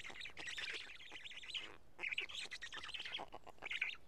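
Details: At a Karula nest on 31 May 2017 around midday, chicks of the black stork feed on two large fish; scratchy, wheezing calls come in fast stuttering series, broken by a short silence midway.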